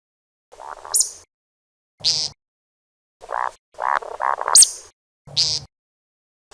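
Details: Grey francolin giving a series of grating, buzzy notes mixed with piercing high squeals. The notes come in uneven bursts over several seconds, with no other sounds.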